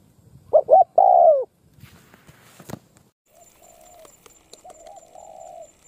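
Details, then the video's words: Spotted dove in molt from Đồng Pha: one clear phrase of two short coos and a long falling coo, followed by handling clicks, a man's exclamation, and fainter distant cooing. "Bổi Đồng Pha tốt tiếng , liền lẹ , bài khá , gù tốt"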